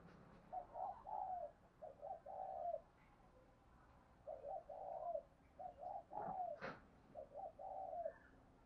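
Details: Spotted dove cooing, a recording used to train and lure birds: phrases of two short coos and a longer drawn coo repeated three times, with faint background hiss and a brief sharp click near the end.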